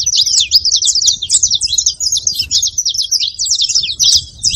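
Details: To get a quiet canary singing, saffron finch song plays as a tight, steady chatter of very high, sharp notes repeated rapidly throughout, with faint low noise underneath.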